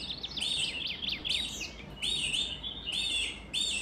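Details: Canary song in short bursts: quick chirping notes sliding up and down, then longer rich warbled trills that pause and restart about every half second, steady low background hum.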